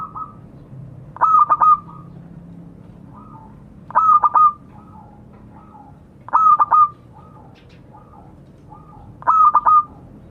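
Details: Local zebra dove calling out to its companions, giving four rolling phrases of three quick stuttering coos ending in a brief trill, about every three seconds, with soft lower cooing between them.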